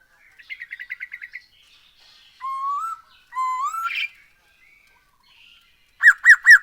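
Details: Black-throated laughingthrush song played as a lure to make birds sing: a quick chattering trill, two long upward-sliding whistles, a brief burst, then three loud bouncing notes at the end.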